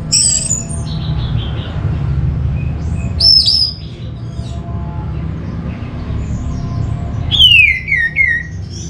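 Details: Orange-headed thrush song used as a lure to prompt other birds to sing: scattered high whistled notes, then a clear descending slurred whistle near the end, over a steady low rumble.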